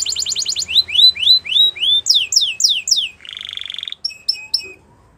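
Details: Belgian canary delivering a fast trill, then slower rising whistled notes repeated about twice a second, a steeper downswept series, a buzzy rattle and a few clipped high notes before silence.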